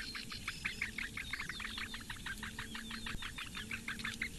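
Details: Eurasian bittern young, four chicks in a Latvian lakeside reedbed nest, calling while the female feeds them on a May morning; fast, repeated squeaky chirps with some rising notes and a low droning tone underneath.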